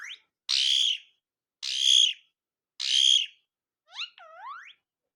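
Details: Pet Alexandrine parakeet giving funny sounds: three harsh, rasping screeches about a second apart, then a quick wavering whistle that bends down and up, in an otherwise quiet room.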